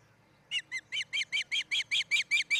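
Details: Osprey at a nest in Charlo, Montana, where a pair is building a new nest near a great horned owl family, recorded by nest camera on 07-10-2018: after a brief silence, about eleven sharp, high whistled chirps in rapid steady succession.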